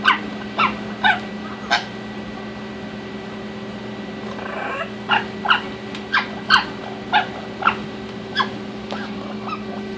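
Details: Nikki, a male Orange-winged Amazon parrot playing in and around his nesting box, chatters in short, nasal, harmonic bursts about once a second, irregularly spaced, over a steady electrical hum.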